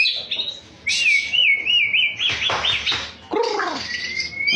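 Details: Song of a champion white-rumped shama, a wavering warbled whistle held for over a second, then rough rattling bursts, a pair of low descending slurs, and a thin rising whistle at the end.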